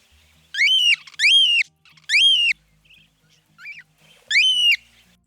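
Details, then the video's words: Cockatiel giving its distinctive harsh, rolling, rising-then-falling squawked calls, sounding as if the bird were grabbed roughly, about five in all, mostly in quick pairs with short gaps between. "The cockatiel is easy to identify by ear because of its unique call. To me, it sounds like someone's grabbed them roughly."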